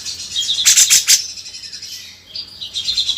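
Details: Grey-cheeked Bulbul song used as a tutor recording for training songbirds: a cluster of sharp, high chirps, then thin, high whistled notes that fade and return with a brief chattering burst at the end.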